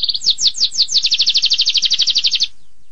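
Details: Canary singing in 'tembakan pedas' style: a short whistle, spaced downward sweeps quickening into a rapid, regular pulsed trill that stops abruptly before a quiet close.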